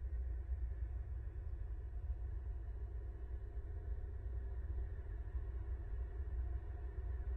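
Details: Only a constant low rumble, like wind or a distant engine, is heard, with no calls.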